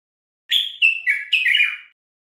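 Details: Garden bulbul song from a training recording for caged Moroccan bulbuls: a short phrase of four rich whistled notes, the second and third slightly lower, the last rising then trailing into a warble, in a clean, quiet recording.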